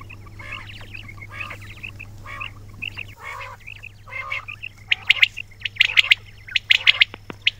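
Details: Several quails calling: short bright chirps near the upper middle register for the first three seconds, then louder clipped squeaky notes and buzzy bursts in quick irregular clusters, over a steady low hum.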